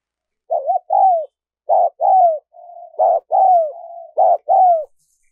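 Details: Spotted dove cooing for luring wild doves: a quick wavering opening note, then paired coos with a falling second note, and a faint level hum between some phrases, otherwise silent.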